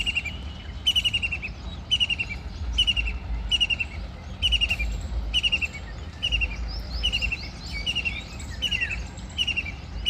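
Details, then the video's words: White-throated kingfisher, filmed bathing and flying, gives harsh chattering bursts about twice a second; other small birds chirp higher over a low rumble of wind or water. "Kingfisher Flying & Flapping wings in slow motion | Bird make weird noises"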